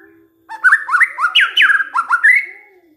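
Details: White-rumped shama song on a lure track for provoking other shamas: a string of bright, upslurred whistles and quick notes, with a faint steady low tone underneath.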